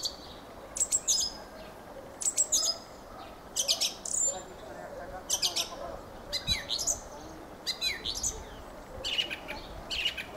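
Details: Long stretch of Fieldfare song: repeated bursts of harsh, squeaky, chattering high notes, roughly one phrase every one to one and a half seconds, against quiet rural background.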